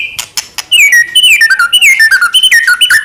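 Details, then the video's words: White-rumped shama in loud song meant to draw other shamas into singing; a few clicks, then a rich run of clear whistled notes, each sliding downward, repeated in quick varied phrases. "murai batu gacor AMPUH buat PANCINGAN murai batu agar bunyi JADIKAN burung murai gacor EMOSI"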